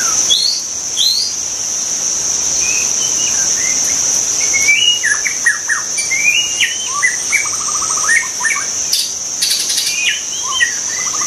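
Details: White-rumped shama singing in the wild, a long varied sequence of whistles, rising slurs and rapid trills, with a constant high-pitched insect drone behind.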